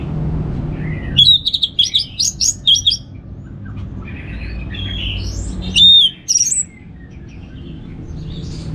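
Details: Orange-headed thrush, known locally as Anis Merah, sings a relaxed ngeplong song meant to get home birds singing: a quick run of sharp whistles, a quieter warbled stretch, then a loud clear phrase, over low hum.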